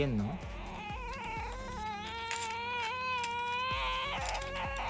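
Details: A pet Ducorps's cockatoo, torn between wanting to play with toys and wanting affection from its owner, gives a long, wavering, nasal whine that bends up and down almost without pause, with soft thumps and handling noises beneath.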